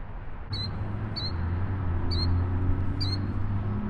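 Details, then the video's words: Killdeer giving four shrill, piercing, high-pitched calls about a second apart over distant traffic rumble, on a hillside in Sugarhouse Park, a busy city park with a big pond in the Salt Lake Valley, on a sunny day; a loud bird that is hard to find. "Another bird surprisingly hard to track down for how loud its screams and calls are, we finally found the screaming killdeer."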